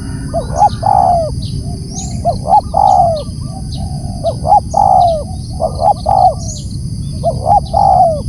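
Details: Spotted dove calling loudly: repeated three-part coos, two short clipped notes then a longer descending purr, each phrase about 1.5 seconds apart over a steady low rumble and faint high electronic whine.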